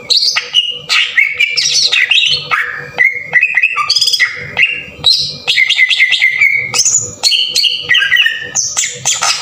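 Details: Green leafbird, cucak ijo, in a rough-burst (tembakan kasar) lure song meant to stir other birds into singing. A rapid, varied run of loud whistled notes jumps between high and mid pitches, with sweeping slides and buzzy bursts. A faint steady hum sits underneath.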